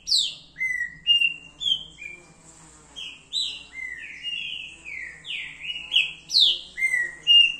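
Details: Green-winged saltator (trinca-ferro verdadeiro) singing: a loud run of clear whistled notes, many sliding downward, delivered in quick phrases of about one note per second with brief pauses, steady through the clip.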